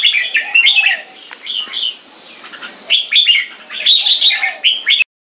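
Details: Caged Red-whiskered bulbuls in keke training in Singapore, two birds paired against each other. Bright, clear whistled phrases arrive in bursts separated by quieter gaps, then the sound cuts off abruptly near the end.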